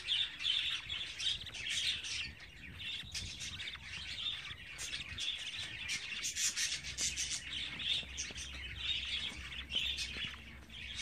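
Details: Budgerigar nestlings at 24 days old keep up loud scratchy, hissing chatter, overlapping calls forming a nearly continuous rasp with short breaks around two seconds in.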